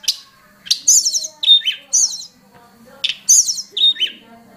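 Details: Hill prinia lure call used for training other songbirds: sharp high chirps and short rattling, buzzy notes in clustered bursts about every second or two, with a clear whistled note in between.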